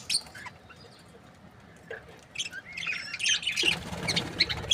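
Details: A breeding pair of budgerigars gives scattered high chirps and short warbled notes. A louder, busier burst of squawky chatter comes near the end.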